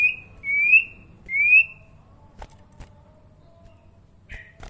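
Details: Juvenile common iora, tame, with a still-quiet voice, gives two short, slightly rising clear whistles close together, followed by soft clicks and a faint chirp against a low background hum.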